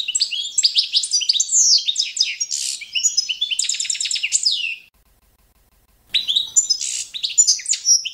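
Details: Competition-standard song of a Balkan goldfinch, Carduelis carduelis balcanica, used for training young birds: fast tinkling twitters and buzzy trills for five seconds, a second of silence, then the song resumes.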